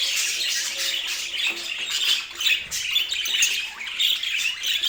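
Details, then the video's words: Domestic budgies chattering as a relaxing sleep sound: busy high-pitched twitters and grating squawks overlap continuously, swelling and dipping slightly in loudness, with quick chirps scattered through. "O Som dos Periquitos Que Faz Você Dormir Melhor"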